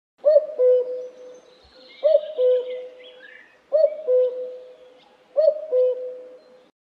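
Common cuckoo giving its familiar two-note 'cu-coo', the second note lower, four times at an even pace of about one every second and a half; faint higher chirps behind.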